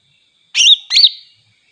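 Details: Greater green leafbird singing to rouse other leafbirds: two loud, slurred, whistled phrases, each wavering up and down, separated by a short gap, in a quiet setting.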